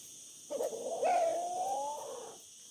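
A rooster gives one crow: a brief opening note, then a long, slightly rising drawn-out note lasting about a second and a half, over a steady high hiss.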